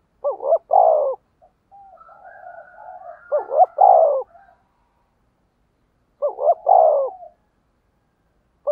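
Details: Deep, mellow cooing of a spotted dove decoy calling in wild doves, loud double-note-plus-long-coo phrases about three seconds apart, separated by soft, murmuring lower coos.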